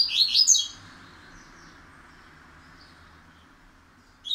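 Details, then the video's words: A double-collared seedeater whose "pancadão" song is gradually becoming steadier gives a quick burst of bright, high twittering notes lasting under a second, then falls quiet before one last short note, over a faint low hum. "Coleiro Pancadão aos poucos firmando!!!!"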